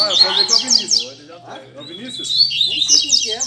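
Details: Double-collared seedeaters, kept birds singing together at a Sunday-morning gathering of friends in Brazil: rapid high twittering phrases of sharp rising and falling notes, with a pause midway, over men talking in the background.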